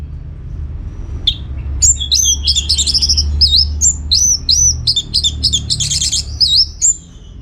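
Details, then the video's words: Orange-headed thrush singing energetically to draw replies from other birds: a long, continuous run of varied, sweet whistled phrases with twisting rising and falling notes, many short figures following each other rapidly, over faint low background hum. "Kicauan ANIS MERAH Gacor"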